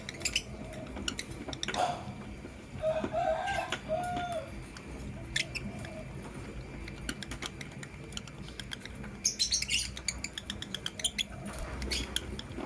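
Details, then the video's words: Morning lovebirds, blue opaline with green personata. Scattered clicks and short squeaky notes, then a dense burst of shrill, rapid chattering chirps toward the end, all over a low constant hum. "Lovebird Chirping Sounds in Love"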